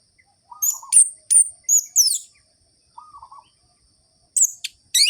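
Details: Orange-headed thrush singing in the ngerol-ngeplong style, a lure to rouse lazy birds of its kind: sharp high whistles, steep downslurred notes and quick chips in short spurts, with quiet low mewing notes between them.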